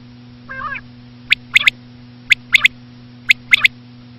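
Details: Female common quail (batair) calling for hunters: one soft nasal note, then three crisp high triplets spaced roughly a second apart, with constant low hum behind.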